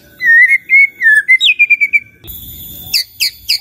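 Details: Clear whistled song of a white-rumped shama, played to make other shamas answer: level sustained whistles, then a quick run of short repeated notes and a few sharp high chips.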